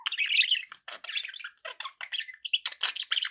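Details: Continuous budgerigar chatter from pet birds: fast, raspy warbling with squeaky chirps packed tightly together, almost without pause.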